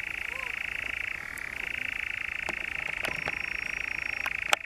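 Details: A European nightjar churrs at the Brecks, Norfolk, in July 2017: one continuous, rapid mechanical trill that briefly dips in pitch before steadying again, with a faint distant whistle and a few soft clicks.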